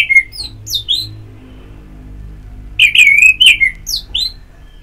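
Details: Orange-headed thrush in therapy audio meant to stimulate singing: a brief whistled opening, then a louder run of slurred, warbling whistles with a long wavering middle note and high thin flourishes.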